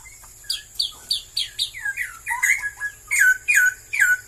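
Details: Straw-headed bulbul, a bird becoming scarce in Malaysia, singing a loud run of rich, liquid, gurgling whistled phrases, with notes sweeping down and bubbling up in quick succession, several phrases each second, over a faint steady high hiss.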